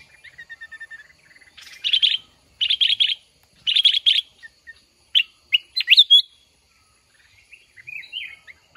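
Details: Red-whiskered bulbul at a decoy trap where birds confront each other: a soft whistled run, then three loud buzzy bursts about a second apart, then sharp rising notes and softer warbles.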